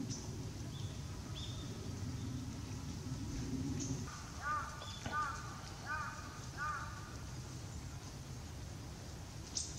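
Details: Japanese tit heard on 20 November 2016 giving calls after a bath, busy shaking and stretching; Nikon COOLPIX P900. A few thin high notes, then several rapid clusters of arched, buzzy notes mid-clip, with low background rumble.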